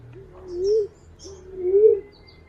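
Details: Green pigeon call meant for use as a lure: two drawn-out, gently wavering whistles that climb slowly to a louder peak, with faint high chirps of other birds.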